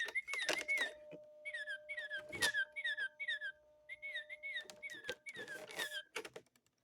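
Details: A Baltimore Oriole sings rich, flutey whistled phrases, likened to 'figuro figuro', in short slurred notes repeated in quick bursts, over a faint steady hum with scattered clicks and knocks.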